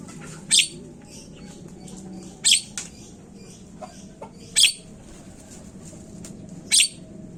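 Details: Javan myna (jalak kebo) calls played as a lure to get birds calling: four rasping, noisy bursts roughly every two seconds, separated by faint clicks and soft squeaks over a low hum.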